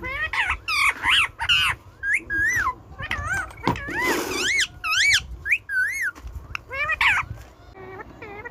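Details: Indian ringneck parakeet, a pet talking parrot, giving a busy run of short warbled, bending syllables and squawks packed close together, some rising and falling like mimicked words, with brief pauses between bursts.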